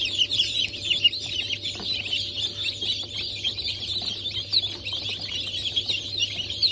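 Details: Newly hatched chicks, Cream Legbar, Sultan and Maran breeds, hatched on 15 March 2024, keep up an unbroken crowd of thin, piercing peeps and chirps, backed by a low steady hum.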